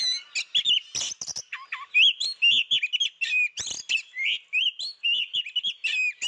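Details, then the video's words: Kacer (Oriental magpie-robin) heard but not seen, singing busily: varied melodious whistles and warbles mixed with harsh chatter and a couple of lower, mellow notes. "ngintip burung Kacer berbunyi kok dak nampak burung gacor banget"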